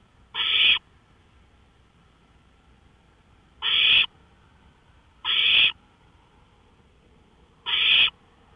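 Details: Four short, noisy hissing screeches from an owl on a porch at night, 1:53 AM on May 5, 2013, spaced unevenly with gaps of one and a half to three seconds.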